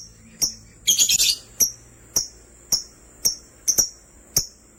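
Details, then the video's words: Lovebirds, sky blue opaline and green opaline, open with a short rasping chatter burst. Steady sharp high chirps follow, about every half second, some in quick pairs. "Lovebirds chirping sounds"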